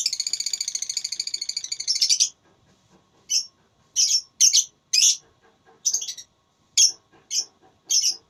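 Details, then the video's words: Lovebird in a singing contest, opening with a long rapid rattling trill of high chirps for two seconds, then separate short buzzy high chirps spaced irregularly. "Lovebird Tarung Suara"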